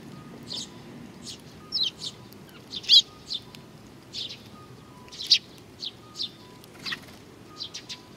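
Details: Sparrows coming to be fed at Tenmangu shrine, Nakanoshima, on 21 June 2020: sparse, fairly soft high chirps scattered irregularly, with a faint steady tone in the background.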